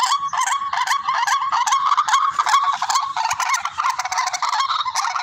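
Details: Hunting-lure recording of barred rail (tikling): loud, rasping, honk-like notes in a rapid, uneven series, overlapping voices forming a continuous, grating chorus.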